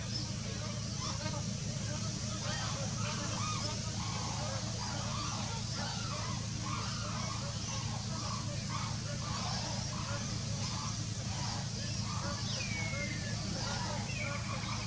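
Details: A small group of Sarus cranes foraging at a white-lily lagoon in the wetlands of Northern Australia give a rapid run of loud, nasal trumpeting honks, two or three a second, over a steady low rumble of wind or engine noise.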